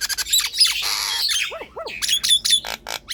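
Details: Nias hill myna in full song, played to stir lazy mynas into singing; a long grating squawk, then paired nasal upslurred notes and sharp whistled chirps.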